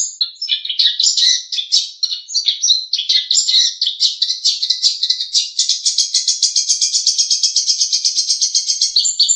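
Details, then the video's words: Long-tailed shrike song for training other songbirds: jumbled squeaky and whistled notes at first, settling into a long, fast, even high twittering trill. "Masteran Terbaik Pentet / Cendet | Song 3"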